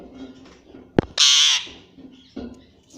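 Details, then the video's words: Pet parrot said to talk and say "mummy"; a sharp click, then one harsh, loud, noisy squawk lasting under half a second amid quiet background chatter. "Parrot Sound _ Parrot Ki Aavaj"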